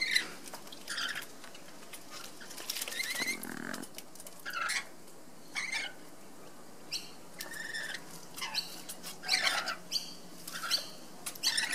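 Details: Two rainbow lorikeets bathing in Sydney in the afternoon give brief harsh, screechy squawks in scattered bursts, mixed with splashing and fluttering wingbeats.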